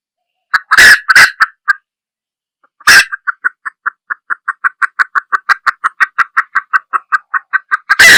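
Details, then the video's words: Female junglefowl: a few loud harsh bursts, then a long, rapid, even series of short clucks that grows slightly stronger and continues for about five seconds. "Tiếng gà rừng(Mái) | Sound of the Gallus"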